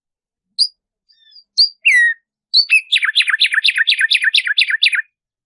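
A tumba yegua sings a few clear whistled notes, then a quick run of bright, downslurred chips.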